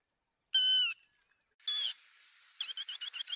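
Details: Lapwing call used as a lure for netting birds: two loud, ringing harmonic notes with a pause between them, followed by a quick series of sharp, wavering notes.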